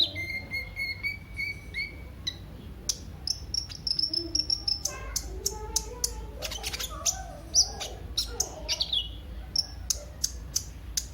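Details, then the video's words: Sunbird, locally called kolibri ninja, used as a lure recording to make other birds sing: high thin whistled notes held steady, then rapid sharp chirps and ticks, with lower chattering sounds in the background. "Burung KOLIBRI NINJA anda LANGSUNG GACOR pancingan dan masteran KOLIBRI NINJA GACOR"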